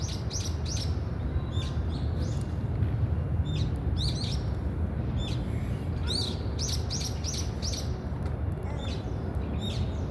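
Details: Brown-eared bulbul: short, bright chirps with quick rising and falling sweeps, given in clusters through most of the clip, over a steady low rumble of background noise.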